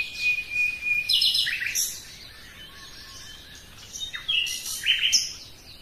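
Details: Singing common nightingale: a long thin steady whistle leads into sharp chirps and downslurred notes, a pause, then a second cluster of quick, varied high phrases.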